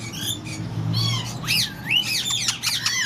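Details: Tame slaty-headed parakeet pair kept at a Karachi bird market, Lalukhet: a sweeping swooping whistle dips and rises, then sharp scratchy squawks follow in rapid succession, low hum underneath.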